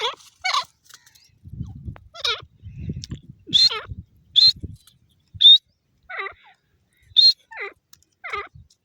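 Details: Grey francolin, called teetar locally, giving a series of sharp grating notes, each starting high and dropping, repeated roughly every second with brief quiet gaps and some low thumps between.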